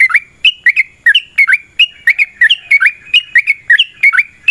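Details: Fighting song of a yellow-vented bulbul, a lure for setting other birds singing: quick pairs of liquid, chortling notes, some rising and some falling, repeated without pause.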